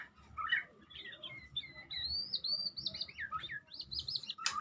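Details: Medan white-rumped shama singing a string of clear whistled phrases, curling and looping notes that rise and dip, delivered steadily with short gaps, ending in a sharp burst over faint low hum.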